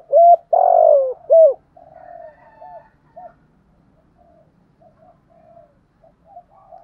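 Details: Morning call of a spotted dove kept as a decoy to attract wild doves: a crisp short coo, a long burry coo and another short coo. Softer, distant answering coos continue for several seconds after.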